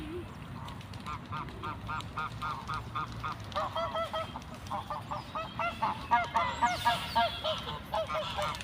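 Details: Ducks in a natural setting calling in long, rapid chains of nasal quacks that grow louder and more excited toward the end, several birds overlapping, with a higher chirp and steady background rumble.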